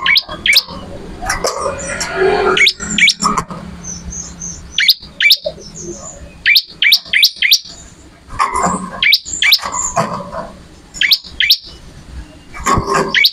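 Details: Bar-winged prinia (ciblek) in full, vigorous song: bursts of sharp rising whistled upsweeps, several in quick series, separated by short pauses, over scratchy broadband noise and a faint low hum.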